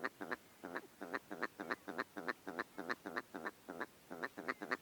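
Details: Willow ptarmigan (Lagopus lagopus) gives a steady run of nasal, croaking, almost duck-like clucks, often in quick pairs, about three or four a second.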